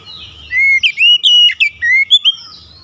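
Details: Oriental magpie-robin, singing actively. Long, clear whistled notes alternate with quick slurred flourishes in a continuous, bright, varied phrase. A faint low hum lies beneath.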